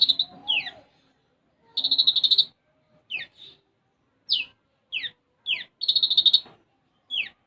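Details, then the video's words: Konin (olive-backed sunbird) singing hard, gacor, its song stuffed with sparrow-like isian gereja. Repeated sharp downslurred chips alternate with two dense buzzy trills. "Konin Gacor Isian Gereja"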